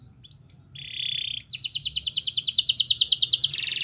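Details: Singing domestic canary, a song meant to coax a lazy canary into answering: a few short high whistles, a sustained bright note, then a long, even, rapid trill of crisp repeated pulses that ends in a harsher buzz.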